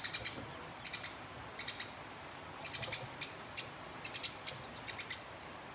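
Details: House sparrow in a fight with a rival, chattering at length to goad the opponent: short clusters of quick, bright, high-pitched chirps recur every half second or so through the recording over soft background hiss.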